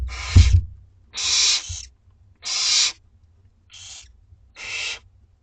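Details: At a school garden nest, two-week-old barn owlets beg for food with long breathy hisses, four spaced bursts after an opening knock, each harsh and noisy, separated by short silences.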